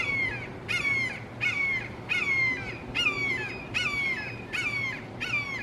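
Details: In a Florida backyard, three Red-shouldered Hawks call loudly and insistently, recorded on a Canon SX70HS: a steady run of eight strident, downslurred screams, each about half a second long and spaced under a second apart, over a quiet low hum.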